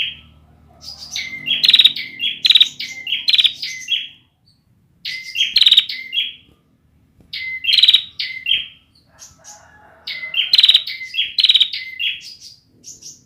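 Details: Bar-winged prinia, a young bird whose song is still developing, giving four long bursts of rapid, high chirps and buzzy trills separated by short silences.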